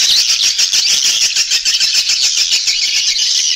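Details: Lure sound of swiftlets for attracting them to nest in buildings: continuous loud, high-pitched buzzy chatter pulsing quickly, about three beats a second.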